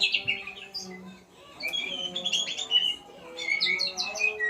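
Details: Learning sounds, a white-rumped shama mixes high scratchy chirps with clear whistles, falls briefly quiet after the opening, then resumes with a busy, jumbled series of bright notes; a low steady hum lies beneath.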